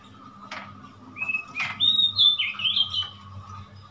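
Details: Oriental magpie-robin recorded on 3 March 2021: a few sharp clicks, then a run of sweet whistled phrases shifting in pitch, over a steady low hum.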